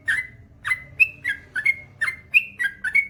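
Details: Male Yellow-vented Bulbul (trucukan) in gacor song with long ropel: a string of about ten whistled notes, each a short, slurred, liquid syllable, some rising and some falling, spaced about a third of a second apart.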